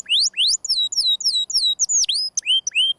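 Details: Canary singing in the 'gesekan' style: a fast, steady series of high, thin downward-sweeping whistles, each repeated in quick succession, ending with a few rising and falling slurred notes.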